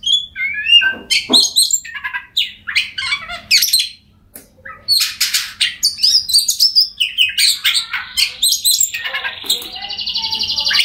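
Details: Oriental magpie-robin singing as a lure for silent birds, varied whistles, chips and scratchy notes in rapid sequence, a brief pause, then more phrases ending in a long buzzy trill.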